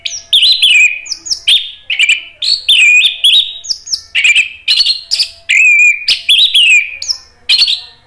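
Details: Orange-headed thrush in full, energetic song, used to provoke other thrushes into answering: a dense, unbroken run of varied phrases, with slurred whistles, sharp high chips and buzzy notes following one another with barely a pause.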